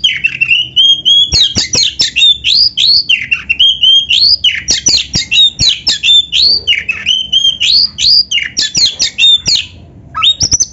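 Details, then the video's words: Oriental magpie-robin in loud, full 'gacor' song, used as a master recording to train other birds: dense rapid phrases of high whistles and sharp chattering notes, with long loud bursts and only brief pauses throughout. "SUARA BURUNG KACER GACOR FULL MATERI ‼️MASTERAN KACER GACOR"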